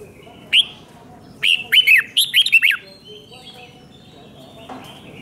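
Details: Red-whiskered bulbul in Thailand, doubled five-syllable song played so young birds can copy it: one lone whistled note, then a burst of about six quick, slurred, rising-and-falling notes, with a faint note near the end.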